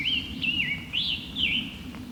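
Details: Scarlet Tanager song from an earlier, clearer encounter, described as sore-throated and robin-like: a few hoarse, slurred phrases rising and falling in short bursts over faint low background noise.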